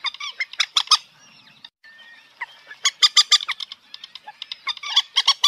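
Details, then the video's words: A common moorhen gives harsh, gravelly clucks in quick bursts of two to four notes, broken by a brief near-silent pause before the clucking picks up again. "জল মুরগি পাখির ডাক(moorhen bird shound)"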